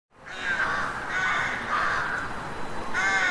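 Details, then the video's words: Crows cawing in a city street: long, harsh, drawn-out caws running nearly continuously, a final caw starting near the end, over a steady low traffic-like rumble. "Street Crows Cawing"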